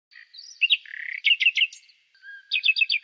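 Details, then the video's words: Common nightingale song: short varied phrases of whistled, chirping and buzzy notes, a rapid run of sharp repeated chips, then a lower whistle and a quick series of bright repeated notes, with no other sounds. "Canto Do Rouxinol"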